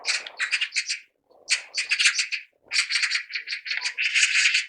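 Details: Magpies chattering: bursts of harsh, rattling, rapidly repeated notes in three loud runs separated by short pauses, with no other sounds.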